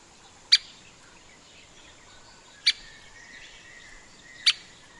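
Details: Grey-capped pygmy woodpecker giving three sharp, high, clicking call notes about two seconds apart, each a brief bright tick, with a faint thin whistle in the background.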